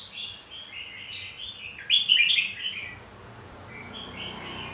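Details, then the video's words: Red-whiskered bulbul fighting song, used to stimulate other bulbuls to sing in contest: a loud, burbling warbled phrase near the middle, with quieter chattering notes before and after it. "Kích chào mào hót đấu"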